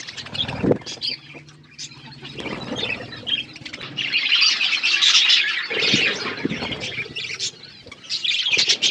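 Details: Flock of budgerigars eating food: dense, overlapping high chirps and warbling chatter that swells and fades, loudest in the middle, with scattered low thumps and wing flutters.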